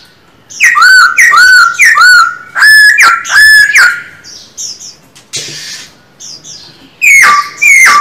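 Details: Black-throated laughingthrush, a pet bird trained to sing, repeats a loud, downward-swooping whistle six times in quick succession, pauses with faint sounds and a brief noise, then resumes with two more.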